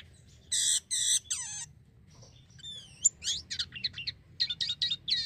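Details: Black-winged myna singing vigorously, used as lure audio for mynas: three loud harsh buzzy bursts, then a gap, then sliding high whistles and a run of quick scratchy chattering notes.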